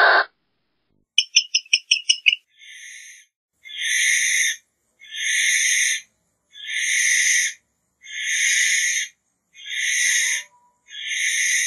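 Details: Barn owl: a rapid run of sharp clicks first, then a steady series of breathy, rasping hisses of about a second each, repeated roughly every one and a half seconds.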